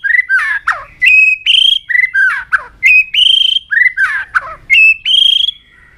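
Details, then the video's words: White-rumped shama in peak form, singing continuously while flicking its tail: clear whistled phrases with rising and falling slurs around two to three thousand cycles, repeated in a steady pattern with brief gaps between notes. "chòe lửa đạt điểm lửa hót đánh đuôi liên tục"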